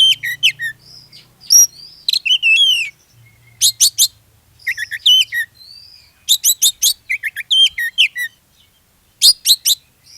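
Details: Oriental magpie-robin (kacer) lure song meant to make other magpie-robins sing; loud varied phrases of high whistles, sweeping notes and rapid chattering bursts in short bouts separated by pauses, faint low hum early on.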